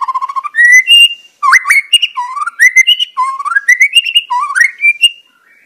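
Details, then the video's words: Song of a wild white-rumped shama in its natural surroundings: loud, clear whistled phrases that rise from low to high, repeated in short bursts with brief pauses, against a quiet background. "Sura merdu Burung murai batu sedang ngoceh gacor di alam liar"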